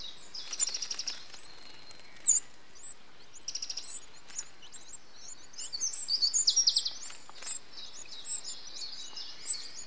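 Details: Eurasian wren nestlings begging as an adult feeds them, 8 June 2013: high thin chirping bursts and short rapid trills that swell into a busy chattering run near the end, with background hiss.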